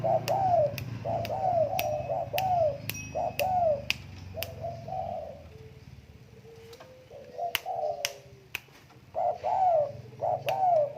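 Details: Tame spotted dove cooing steadily, low curving phrases repeated roughly once a second in long runs, with a quieter pause midway, over low rumbling background noise and frequent sharp clicks.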